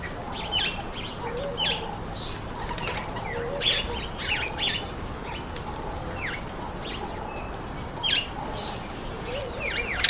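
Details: Speckled mousebirds eating an apple; scattered short, high chirps and quick downslurred tweets from several birds over a steady background hiss.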